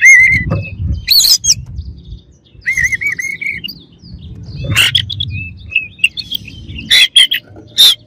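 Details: Oriental magpie-robin song for stirring rival birds, opening with a wavering whistled trill, then sharp scratchy bursts and clear high whistles, over faint low background rumble.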